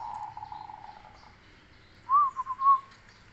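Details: Zebra dove, a black cemani Kolbuntet type, singing in a bass voice: a low, soft, trilled cooing phrase lasting about a second, a pause, then a shorter wavering phrase of quick rolling coos, over faint background hiss.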